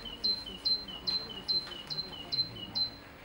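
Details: A European great tit song is played back as a consistent-song stimulus in a territorial-response experiment: a bright two-note phrase, high then lower, repeated seven times at a steady pace of about two per second.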